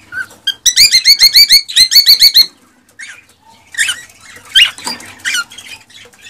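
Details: Excited song of a male cockatiel urging a female to mate: a rapid string of about a dozen identical harmonic chirps, then a pause and a few scattered squawky, wavering whistles.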